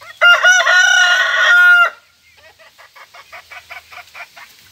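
A bantam rooster gives a loud, harmonic crow lasting under two seconds, followed by soft clucking.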